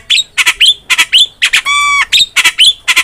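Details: Javan myna singing, used as a tutor for songbirds: rhythmic harsh squawks about twice a second with quick rising whistles between them and one steady nasal, buzzy tone in the middle.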